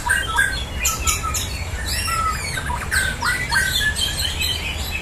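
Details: Caged white-rumped shamas in a simulated song contest, competitive singing against rival birds: rich, varied whistled phrases with sharp chirps and rising notes, several birds singing at once over a steady low hum.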